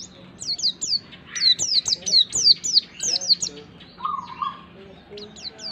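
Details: Pleci (white-eye) stimulation song for getting untrained birds singing fast: dense volleys of sharp, high, downward-sweeping chirps, then a lower held whistle and sparse tweets.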